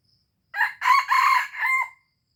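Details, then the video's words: Aceh junglefowl crowing, a recording used for luring. A single raspy four-part crow: a brief first note, two drawn-out harsh syllables, then a shorter falling ending, lasting about one and a half seconds in an otherwise quiet background. "Ayam Hutan Aceh * Pikat Hebat Ori"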